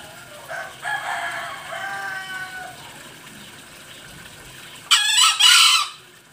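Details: Green junglefowl from Bali, used as a lure call: a faint crowing phrase early on, then a loud, harsh two-part crow near the end, strong and noisy in the upper range.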